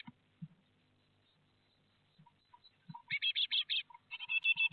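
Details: Great tits at a nest box in Théding, France, on 12 May 2021, during fledging, with eight young leaving within five minutes; soft thumps, then a fast run of short, high chirps, a pause and more rapid chirping.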